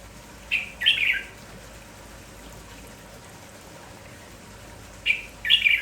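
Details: Lively red-whiskered bulbul in the morning, called merbah jambul kampong, sounding without pause. Brief warbled phrases come in a pair near the start, then another pair about four seconds later, high and quick.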